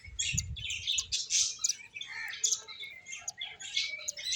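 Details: Playing finches chirp in lively high twittering phrases, with some lower nasal notes mixed in and a brief fluttering thump at the start.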